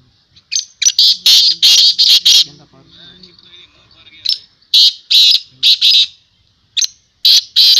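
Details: Black francolin, known locally as kala teetar, calling at a teetar calling tournament: loud, harsh, grating bursts in quick clusters of three to four notes, separated by pauses, with a man talking in the gap between the groups.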